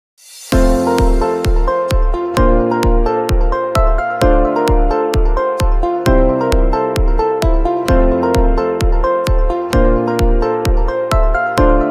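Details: Electronic music with a steady pulsing beat and sustained chords; no animal sound is heard.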